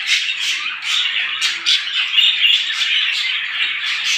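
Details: Small birds calling together in the morning, a busy wall of sharp chirps and short squawks repeated rapidly, several loud accented notes standing out over the steady twittering.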